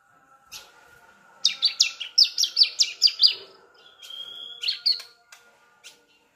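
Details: Young Sunda streaked-tit learning to sing, its song meant to prompt adult ciblek to sing; a clipped run of eight bright, high, descending chirps, a pause, then a thin whistle and two rising notes.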